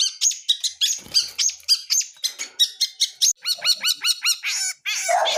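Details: Wild long-tailed shrike of the blangkon type, singing a gacor song full of isian (mimicked phrases): a rapid mix of sharp high chips and buzzy notes, then a run of ringing downslurred notes about four per second, ending in harsh rasps.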